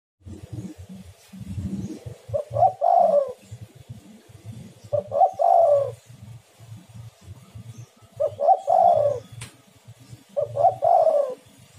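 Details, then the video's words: Spotted dove (tekukur) calling on a lure recording meant to prompt other doves to sing: four low cooing phrases about every 2.7 seconds over a steady low rumbling, thumping background. "tekukur super gacor suara pancingan"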